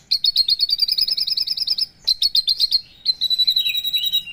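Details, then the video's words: Rapid, rhythmic high chirps from a Javan bush lark, separated by two brief pauses, ending in a sweeping, whistled, descending phrase. "Kicau branjangan"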